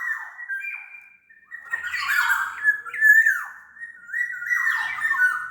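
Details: Sumbawa black-naped oriole singing a long, nearly continuous run of liquid whistles and warbles, fluty phrases rising and falling with brief harsher notes mixed in.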